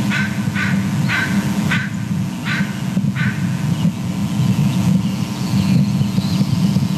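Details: Bald eagles at their nest, the female calling excitedly as the male lands and both call while mantling what he carried in: a series of six short, sharp, harmonic call notes, roughly half a second apart, over constant low droning background noise.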